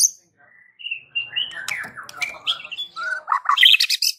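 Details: White-rumped shama voice intended to stir every shama nearby into answering; soft whistles lead into a dense mix of slurred notes and harsh, crackly bursts toward the end.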